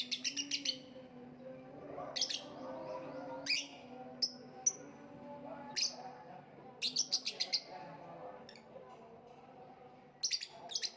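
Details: Clusters of quick, sharp lovebird chirps alternate with single shrill whistled notes and short pauses. A low steady drone sounds in the background.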